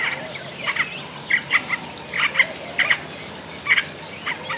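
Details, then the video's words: Basra reed warbler, recorded as a tutor song for other birds: harsh clustered notes in pairs and small groups, separated by short pauses, the squeaky-rasping bursts loud against soft hiss. "kicauan burung Basra Reed Warbler"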